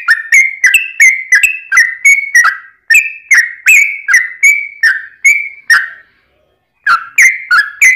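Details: Fast, lively fighting song of a Yellow-vented bulbul, played to goad other bulbuls into singing back; a chain of slurred whistles breaks off for about a second, then resumes.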